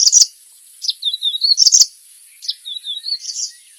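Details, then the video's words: A bird gives high chirps mixed with thin, wavering warbled trills, in two quick phrases, over a steady high-pitched hiss. "Sounds of the bird part 3"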